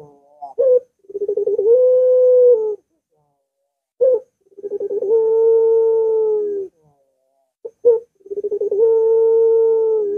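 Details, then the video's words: Long-voiced Barbary dove (puter) coo used to coax a lazy dove into song, heard three times about every four seconds: a short sharp note, stuttered pulses, then a sustained flat tone. "Puter Macet Puter Malas Bunyi Langsung Ngaut"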